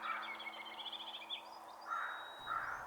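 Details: Crows in the morning give harsh, ragged caws in short bursts, about three outbursts in three seconds, relentlessly mobbing a great horned owl, with thin higher bird notes faintly behind.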